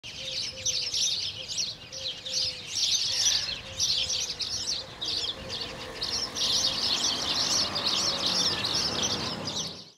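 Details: House sparrows (Passer domesticus domesticus) at Lake Kerkini National Park, Greece, in April 2024, chirp constantly: a dense chatter of bright, overlapping notes from several birds, with a faint low hum underneath.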